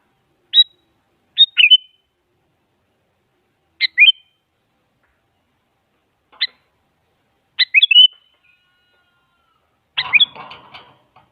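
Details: Sooty-headed bulbul, a female calling a male, played as a lure to draw a quiet bulbul into answering: sparse high chirps and short slurred two- or three-note phrases spaced over the span, the last one a little harsher.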